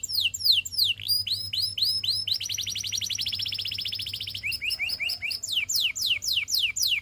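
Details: Canary song used for training: looping up-and-down slurred whistles, a long, even, rapid buzzy trill mid-phrase, then more quick down-sweeping notes repeated several times a second.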